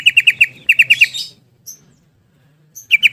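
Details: Busy ropel singing from a yellow-vented bulbul: two fast runs of bright, harmonic chirps blending into a harsher chatter, a silent gap, then a new run of notes beginning.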